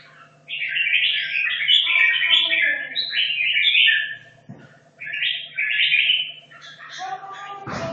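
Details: Red-whiskered bulbul from Hanoi, caged two and a half years, training for a song contest, delivering bright chattering warbles in quick bursts, a short pause near five seconds, then more phrases and a sharp click at the end over low hum.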